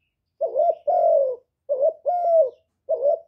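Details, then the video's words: Spotted dove coos recorded without background noise for stimulating decoy birds. A short warbled note is followed by a longer steady coo, given twice, then a third short note begins. "Cu gáy hạp bổi {GÁY GỌI+THÚC+KÈM+GÙ khống} kích bổi hiệu quả. Cu đất gáy, tiếng cu cườm."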